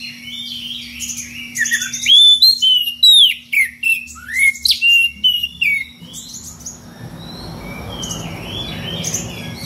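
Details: Calling out a rival, a magpie-robin gives a loud ngeplong series of unusual varied phrases, with about a dozen whistled, downward-slurred notes over six seconds, then fades into a hissy background.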